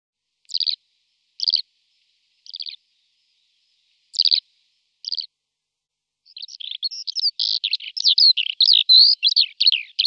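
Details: Wild flock of Eurasian skylarks feeding in a field in Malta; five separate short chirping calls spaced about a second apart, then a dense run of rapid, varied chirps and rolling notes.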